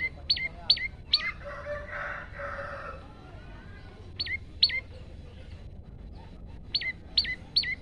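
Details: Olive-backed tailorbird male singing for a training recording: clusters of two or three sharp, high, downturned notes separated by pauses, with a rough, buzzy burst of another sound in between.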